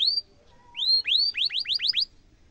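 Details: Canary in full song, a long sharp roll used as a tutor recording for young canaries: two separate whistled upswept notes, then a quick run of five rising sweeps repeated about every tenth of a second, with a faint low hum underneath.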